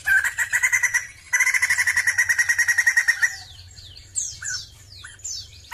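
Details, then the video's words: Sumatran laughingthrush singing: a rapid run of loud, harsh, repeated chattering notes, a short pause, then a longer fast chatter of about three notes per second. Several high, thin whistles sweep downward at the end. "PERFORMA BAGUS DALAM BERKICAU BURUNG POKSAY JAMBUL SUMATERA"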